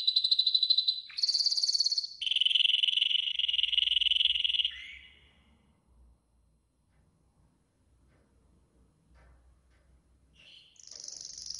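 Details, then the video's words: Yellow golden canary training song, several quick high rattling tours in succession, then several seconds of near silence before a high trill resumes. "Yellow GOLDEN Canary 12h Training Song"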